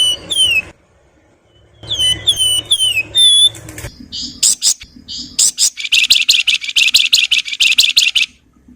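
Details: Flowerpecker singing in nyuling and nyerecet style, used as a master song: four loud, clear whistled notes sliding down, then a pause and a burst of buzzy, rattling trills and sharp chips repeated quickly.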